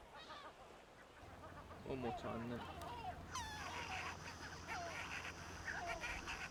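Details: A Manx shearwater on the Isles of Scilly, a seabird that nests in underground burrows, gives harsh, raucous crowing calls in short bursts. Thin higher chirps of other birds and a steady low hum sound behind.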